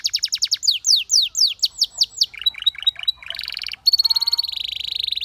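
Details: Song of a Belgian canary whose singing drew other canaries to sing: fast clipped trill, sweeping downslurred whistles, a buzzy roll, then a rapid pulsed high trill.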